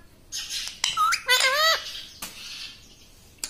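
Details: Talking parrot kept as a pet, with a short breathy sound, a brief tonal note, then a wavering mimicked word, followed by faint rustling and a click.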